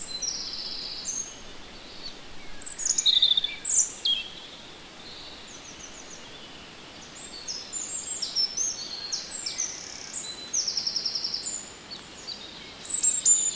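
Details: European robin singing in the Netherlands: thin, high, varied phrases of clear whistles and quick tinkling notes, sometimes separated by short pauses, with faint rustling in the background.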